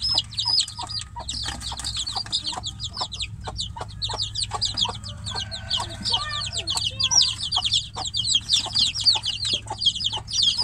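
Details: Young chickens locked in a cage peep for the hen beyond it; a crowded flock of sharp, high falling whistles pours out continuously, with a few lower notes and steady background hum.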